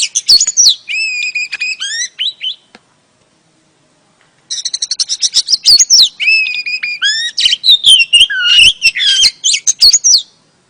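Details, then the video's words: Female oriental magpie-robin calling to lure a male, with rapid chirps and steady whistled notes, a nearly two-second pause, then a fast burst of ticking notes leading into varied sliding whistles. "KICAU KACER BETINA AMPUH PANCING KACER JANTAN LANGSUNG GACOR"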